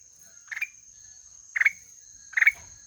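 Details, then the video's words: Black-headed bulbul uttering three short scratchy notes ending in an upward flick, spaced roughly a second apart, against a constant thin high whine. "SUARA MERDU KUTILANG EMAS"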